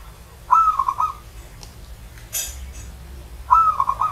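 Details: ['Old zebra dove (perkutut) giving its cooing song: two matching phrases about three seconds apart. Each phrase is a sustained low whistle breaking into a few rapid pulsing beats. A brief rustling burst falls between the phrases.']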